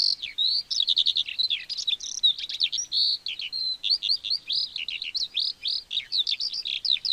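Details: Lark, a brown-mottled bird of open fields, in continuous song that marks territory and attracts a partner; dense high twittering phrases and quick slurred notes tumble on without pause.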